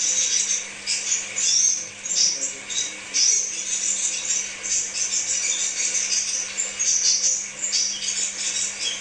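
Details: Crimson sunbird song played as pancingan therapy: rapid, high, scratchy twittering in continuous rattling bursts, a steady faint hum underneath.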